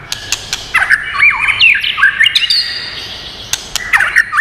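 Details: White-rumped shama with a many-voiced song meant to stimulate and train birds; quick looping whistles, downward slurs and rising notes in a rapid run, then a pause with a few sharp clicks before more whistling at the end.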